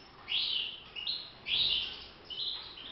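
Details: Song-training recording of a caged European goldfinch: clear, bright twittered phrases alternating with short chirps, about four phrases in three seconds, over faint hiss.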